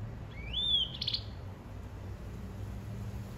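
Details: Caged hybrid finch from greensinger and white-rumped seedeater crosses giving one clear rising whistle that sweeps upward and holds, then a brief rough burst, followed by quiet background hum.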